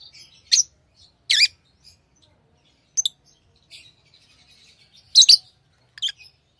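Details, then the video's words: Chirping from tame pet lovebirds: shrill, high squeaks spaced irregularly, some doubled, with soft twitters between them. "Love birds Sounds | lovebirds chirping sounds"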